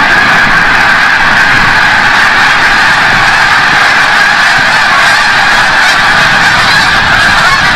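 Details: Snow geese at sunset flying in from the bay over Forsythe National Wildlife Refuge in Oceanville, New Jersey, a steady roar of countless overlapping honking voices that never lets up.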